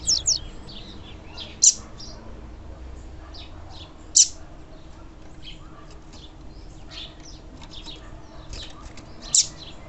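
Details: Female double-collared seedeater (papa-capim) call used to excite males: short high chirps scattered across the recording, with a few sharper, louder notes about every two to five seconds over faint background hiss.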